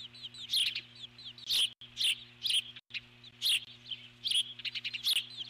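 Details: Eagle on the nest alert-calling while an intruder circles. Sharp high chirps come in clusters about once a second, mixed with faint rising squeaks, over a low electrical hum.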